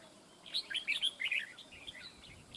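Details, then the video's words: Red-whiskered bulbul in Vietnam used in a fight trap, giving a bright burst of short chirped, warbled notes around half a second to one and a half seconds, then softer trailing twitters, with light background hiss. "bẫy đấu chào mào"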